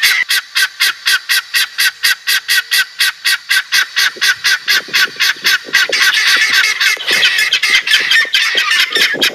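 Guineafowl give harsh, rattling calls repeated about four times a second, then swell into a noisy chorus.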